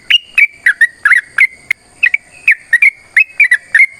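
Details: Sooty-headed bulbul (trucukan) giving long fighting song to draw song from other birds; clear whistled notes in quick succession, some flat and some with a wavering twist, at roughly three notes a second.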